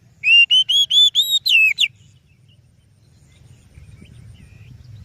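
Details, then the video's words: Lure song of the oriental magpie-robin (kacer). About seven evenly spaced, rising whistles end in a twisting downward note. Quiet follows, with soft background noise. "Suara Burung Kacer Yang Sangat Indah,Cocok untuk Pancingan"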